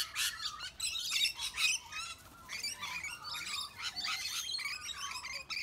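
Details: Rainbow lorikeets picking on larger birds, including sulphur-crested cockatoos and brushturkeys, make a steady stream of shrill squeaks, buzzy chirps and scratchy screeches, several birds calling at once.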